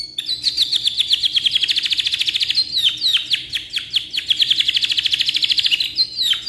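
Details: Long canary song for tutoring: fast rolling trills of crisp repeated notes, broken by a few sharp downward swoops, then another extended trill.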